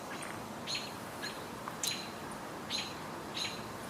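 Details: On 26 June 2021, dark-eyed juncos behind the observer give sharp, high chip notes, single or paired, at irregular intervals of about half a second to a second, over a steady hiss of outdoor background noise.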